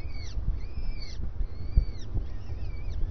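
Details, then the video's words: A few drawn-out, arched starling calls, each rising then dipping, heard at breakfast over a low rumbling background. "Estornino en el desayuno"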